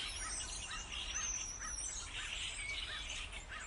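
Several starlings chatter together: short arched chirps repeat about every second under a wash of high, scratchy twittering and thin whistles, with steady outdoor hiss.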